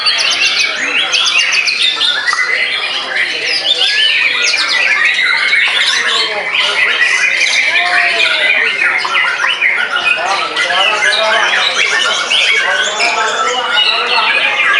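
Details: Caged white-rumped shama after moulting, singing in a frenzied state to overwhelm an opponent. Long, relentless outpouring of rapid clicks, fast stuttering trills and bright whistles with no pauses, very busy and loud.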